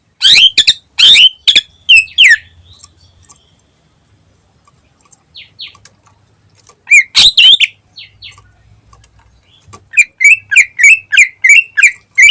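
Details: Greater green leafbird in full "ngentrok" song, used as a lure: loud clipped chirps and whistled notes near the start and middle, then a fast run of sharp repeated notes, about three per second, with quiet gaps between bursts.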